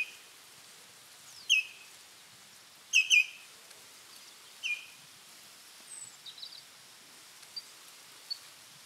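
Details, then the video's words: Common snipe on autumn migration at shallow feeding pools in Gyzylagach National Park, Azerbaijan, in November, where birds gather and chase off rivals; harsh raspy calls in short bursts, one doubled, with faint higher chirps from other birds. "Бекас (Gallinago gallinago) - осенние драки"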